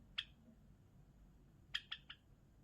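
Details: Java sparrow singing: one clipped, bell-like chirp, a pause, then three quick chirps in a row.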